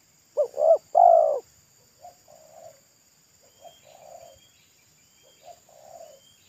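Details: Pesom-style local spotted dove calling wild beside a road: a loud phrase of two short notes and a long coo, followed by quieter two-part coos repeated roughly every one and a half seconds.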